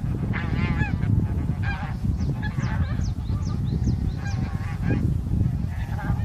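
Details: A flock of wintering bean geese, including a leucistic bird, in Korea on 9 March 2021, gives repeated nasal, harmonic overlapping honks over a steady low rumble of wind or distant noise.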